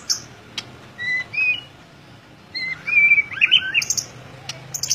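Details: White-rumped shama singing gacor ngeplong: scattered clicks and short whistled pairs, then a lively phrase of warbled, slurred whistles and high sharp notes.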